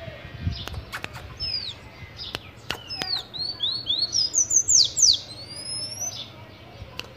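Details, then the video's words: Tanager singing: a run of rapid high, sharp descending and rising chirped notes, quickening into a dense burst mid-clip, with clicks and low background rumble. "Sanhaço tui - tui"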